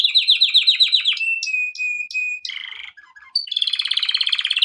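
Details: Male canary in full song for training use: quick repeated chirping notes, then a level piercing whistle held for over a second, a brief harsh rattle, and a bright rapid rolling trill to finish.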